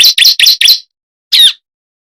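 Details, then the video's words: Bar-winged prinia lure call for attracting birds: four fast, buzzy, high chirps run together, a short gap, then one longer, slightly wavering squeaky note. "SUARA PIKAT BURUNG CIBLEK ( prenjak jali )"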